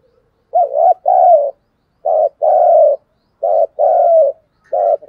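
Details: 'Thúc gù' cooing of a spotted dove in 'giọng thổ' voice, meant to provoke wild doves. Throaty double coos, each a brief note followed by a drawn-out slurred one. Four pairs at an even pace over a quiet background.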